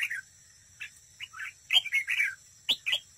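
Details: Close-up of a red-whiskered bulbul decoy bird in competitive singing: short chirpy, slurred whistled phrases come in separated bursts, rising and falling, ending with two sharp loud notes against a quiet background.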